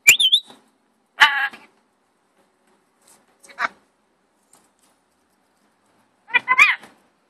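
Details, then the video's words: Rainbow lorikeet talking, opening with a wavering whistled note and then giving rough, rasping chatter bursts separated by pauses of one to three seconds, ending with a warbling, bending phrase. "Rainbow lorikeet talking"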